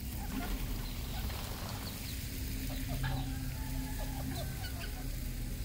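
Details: Red junglefowl on a farm in Cambodia giving soft, short clucks and a few drawn-out low notes, half buried under a steady low rumble of background noise.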